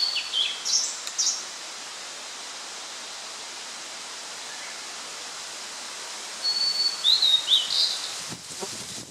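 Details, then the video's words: Blue-and-white flycatcher song recorded on 8 June 2013, with one short whistled phrase at the start and a longer phrase of slurred whistles ending in a buzzy flourish near the end, followed by a brief rustle or knock. "オオルリ ooruri"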